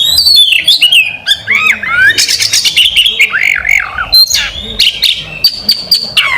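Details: National champion competition oriental magpie-robin singing a loud, rich, varied song of sharp whistles, rapid rising and falling slurs and harsh bursts, with short pauses between phrases.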